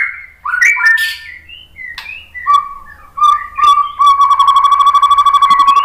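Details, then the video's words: White-rumped shama (murai batu) song used as a lure to prompt other shamas to answer: varied whistled phrases sliding between notes, ending in a rapid, steady run of repeated low whistles. "suara KICAUAN MURAI BATU"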